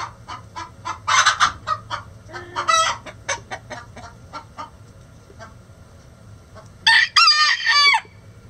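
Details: Hens singing the egg song: a run of sharp, rapid clucks about four per second, broken by a loud, drawn-out squawk, then a second burst of harsh, rising cackling notes near the end.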